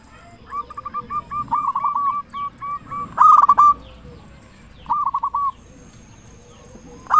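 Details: Local zebra dove in full, loud song, used as a lure to prompt other zebra doves to sing: series of short hooked cooing notes, bursts of quick rolled phrases with a harsher loud burst midway, pauses between.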